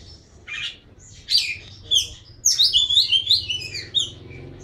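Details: Energetic Oriental magpie-robin song: scratchy rasping notes lead into a fast chain of clear, downward-slurred whistles, over a steady low background rumble.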